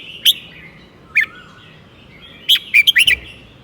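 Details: Southern 'mae bot tai' style singing from a golden-voiced red-whiskered bulbul teacher bird: two separate clear notes, then a quick tumbling run of five bubbly whistles, steady faint hiss in the background.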